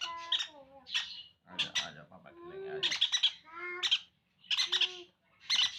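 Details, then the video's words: Conure chicks begging while being hand fed, giving gurgling whines and sliding tones mixed with harsh pulsed squawks, several bursts. "Hand Feeding Conure Chiks"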